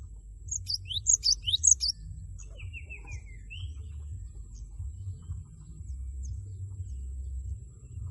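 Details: Cinereous tit, loud 'wucit wucit' song used to goad a rival into singing: a short burst of rapid high phrases, followed by a thin, falling series of notes, then quiet background hum.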